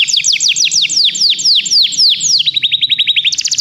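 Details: Canary song for song training: a series of loud, high, downward-curving notes about four per second gives way to a faster, tighter trill of short rising chips near the end.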